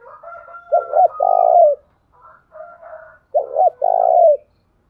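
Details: Spotted dove decoy calling at morning to lure wild males: two phrases of a double-hooked coo then a long buzzy coo, with fainter overlapping coos behind and in the pause.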